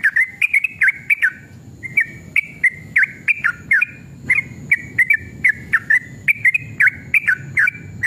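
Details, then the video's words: Sooty-headed bulbul singing in the excited 'gacor' style, meant to provoke other birds: lively strings of short warbled whistles that dip and rise, a brief pause after the first second, then a steady rapid stream of notes. "trucukan gacor EMOSI ROPEL PANJANG pancingan trucukan agar bunyi"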